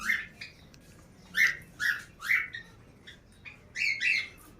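Young cockatiel giving harsh, raspy squawks in short repeated bursts.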